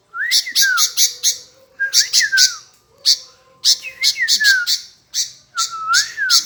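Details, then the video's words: Sooty-headed bulbul replying again and again: grating chatter bursts joined to rising and falling whistled slurs, with a faint low hum behind the calls. "Tak Mau Diam Nyaut Terus Burung Kutilang"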